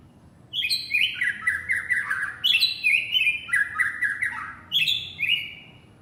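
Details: Male white-rumped shama calling his partner with rich, varied phrases: bright high whistles tumbling down into warbling, slurred notes, repeated in three flowing bursts with brief pauses between.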